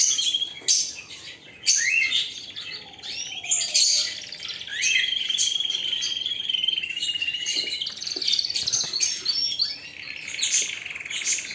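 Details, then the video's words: Canary singing a long, varied song of bright, high chirps, sweeping whistles and rolling trills, with bursts of louder notes and a sustained warbling trill in the middle; no other sounds stand out. "اقوى تغريد طائر الكناري"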